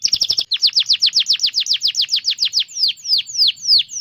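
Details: Canary master song for tutoring young canaries and restarting silent ones: a very quick stutter of notes, then a steady run of downslurred whistles that slows toward the end.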